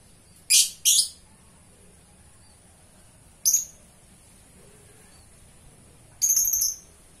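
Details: Lovebird chattering in gacor style: two harsh, buzzy high bursts close together, a lone shrill chirp seconds later, then a rasping squeaky burst, with quiet gaps between.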